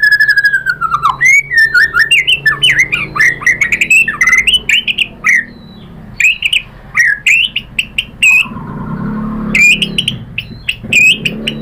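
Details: White-rumped shama singing as a lure to provoke others: rich, varied whistled and squeaky phrases, sharp clicks and rattles, with a brief low murmur partway through.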